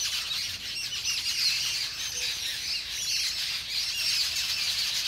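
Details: Noisy Jungle Babbler flock of over ten birds, called sat bhai or seven sisters, chattering on a bamboo fence in New Delhi while mock fighting and allopreening. Overlapping harsh squawks and squeals rise and fall in a steady babbling wall of sound.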